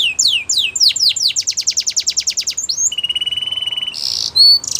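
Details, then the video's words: Belgian canary song for training young canaries: rising chirps quicken into a rapid trill, then a steady flat rolled trill and a short buzzy burst with whistled slurs. "Canary Singing For Training | Belgian Canary Singing"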